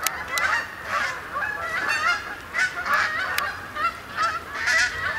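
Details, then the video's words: Flock of Canada geese coming in to roost overnight on the main pond, Sapsucker Woods, Ithaca, New York, 28 October 2017; loud overlapping honks rise and fall in bursts, punctuated by brief sharp clicks. "Canada Goose Arrivals At Sapsucker Woods"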